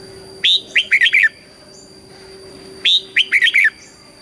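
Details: Caged red-whiskered bulbul in southern Thai song style, used to excite and train birds: two matching phrases of five quick, rich whistled notes about two and a half seconds apart, over a steady electronic hum.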